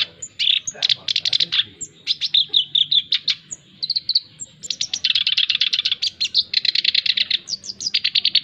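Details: A male black-browed reed warbler sings energetic chattering phrases, mixing high thin squeaks with dense scratchy rattles that run almost unbroken through the second half.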